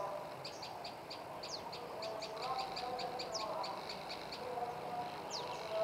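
A tailorbird gives a fast, steady run of high, sharp chipping notes, a few slurred sweeps mixed in, over a low background murmur.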